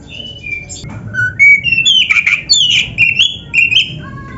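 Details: Oriental magpie-robin song for caged-bird training: clear, spaced whistled notes at shifting pitches, growing into louder warbled and slurred phrases with quick chips.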